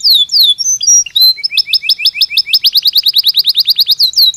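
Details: Belgian canary singing naturally for daily stimulation: a few swooping whistles, then a steady run of short rhythmic notes repeated several times a second, building to rapid clipped phrases.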